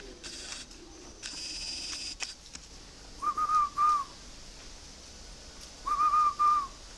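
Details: Caged spotted dove kept at a northern Vietnamese bird farm near Ba Vì, Hanoi, giving its 'giọng thổ' song: paired, quavering whistled notes in two bursts about three seconds apart, preceded by rustling and clattering.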